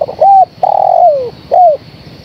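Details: Calling female spotted dove summoning the male. The end of a stutter runs into an arched coo, then a loud prolonged coo sliding downward, closing with a short falling coo. The phrase is low-pitched and clear.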